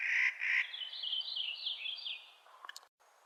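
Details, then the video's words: Spring calling of a Clark's nutcracker: two short, grating rasps, then a long, rapid, high warbling trill from another songbird and a brief click. "Clark's Nutcracker Calling in Spring"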